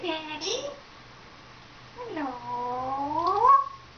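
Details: Captive African grey parrot, a female around 14, vocalising indoors: a short dipping-then-rising tone, a pause, then a longer voiced phrase that climbs steadily in pitch and ends with a sharp upward note.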